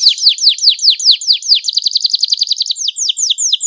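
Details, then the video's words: Canary song aimed at making other canaries sing: a series of clear downslurred whistles, a quicker burst of short repeated notes, then more downslurred whistles. "cuitan kenari untuk merangsang agar gacor dor"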